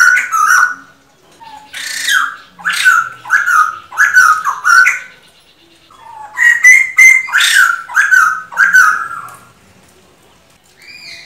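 A male laughingthrush sings loud, ringing, slightly squawky notes, about two a second, in two bursts separated by a short pause.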